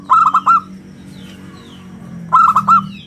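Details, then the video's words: Local zebra dove with a round, crystal-clear voice, used as a lure and song model. Two bursts of four quick ringing coos about two seconds apart, with faint thin chirps from other birds between them. "suara bulat kristal - perkutut lokal gacor suara istimewa buat pancingan dan masteran"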